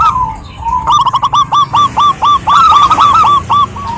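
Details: Female zebra dove of a local wild-type strain calling a male: a brisk run of short, clipped cooing notes repeated several times a second, with a second slightly higher voice overlapping, over a low rumbling background.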